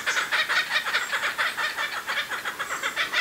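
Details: Kookaburras calling in a loud, harsh, cackling chorus of rapid rhythmic pulses, about six to eight per second, sustained without a break through the whole stretch.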